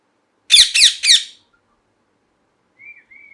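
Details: A parrot lets out three rapid, rough screeching calls in a row, followed after a pause by two soft, thin whistled notes; quiet indoor background.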